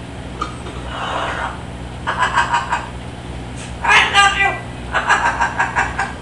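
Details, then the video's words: Severe macaw giving raspy, human-like laughs and saying "I love you" in several short bursts, over a steady low indoor hum. "Laughing I Love You"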